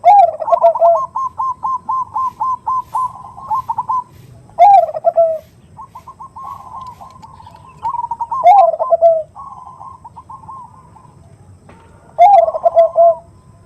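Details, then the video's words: Zebra dove (perkutut) female calling a male with a large-voiced 'khung' lure song: quick even runs of rolling notes alternate with loud, harsh, falling coos, four coos at roughly four-second intervals. "Suara Khas Pancingan Suara Khung Suara Besar"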